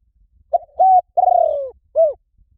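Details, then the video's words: Spotted dove lure call for drawing in wild doves: a short note, a held steady coo, a long rolling purr that slides downward, then a final brief falling coo, all mid-pitched, in near silence. "เสียงนกเขาใหญ่ หมานๆ ต่อเข้าเร็ว ป่าไหนก็เข้า"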